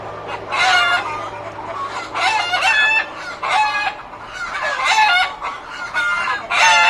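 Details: A crowded chicken coop full of loud birds, with continuous overlapping cackles and squawks rising and falling in repeated bursts about every second.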